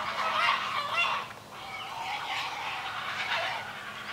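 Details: Feeding time at a great blue heron nest, the chicks loudly begging from their mother: coarse, honking squawks, one strong burst followed by longer, wavering rasping cries.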